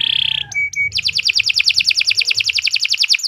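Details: Canary singing a long training song for young birds: a brief buzzy note and two short flat whistles, then a fast, even rattle of repeated notes, roughly eight per second.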